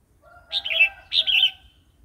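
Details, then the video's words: Red-whiskered bulbul singing a varied wild-style song, phleng pa, used to stir newly caught and wild adult birds and to teach young ones: two bright warbled phrases about half a second apart, with faint lower tones beneath. "เสียงนกกรงหัวจุก เพลงป่า"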